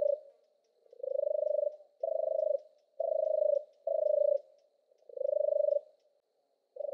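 A European turtle dove gives its deep, rolling purr, six soft burred 'turrr' phrases about once a second, against a quiet background.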